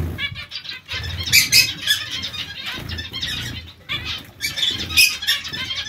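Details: Busy zebra finch colony: loud nasal calls come in two clusters separated by a brief lull, notes stacked and buzzy, with faint wing beats underneath.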